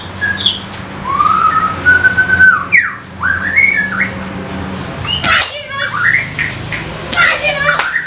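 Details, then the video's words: Young forest White-rumped shama singing loudly in 'koar' style to provoke other young birds: varied whistles, long level and sliding notes, then rapid squawky and chattering phrases, over a low steady hum. "MEMANCING MURAI MUDA HUTAN KOAR KOAR"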